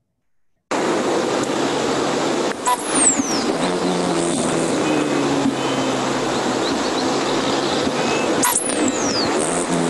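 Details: Hummingbird in Nevada: two high, zippy downward sweeps, then a steady mechanical buzz like a large bumblebee, made by the tail feathers rather than the voice.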